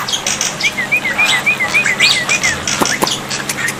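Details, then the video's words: Black-winged myna tutor song for coaxing silent birds into replying: a fast string of short wavy whistles, rising and falling in quick succession, with a few sharp clicks over constant water-like background noise. "terapi air dan masteran burung jalak putih, jalak putih macet pasti nyaut"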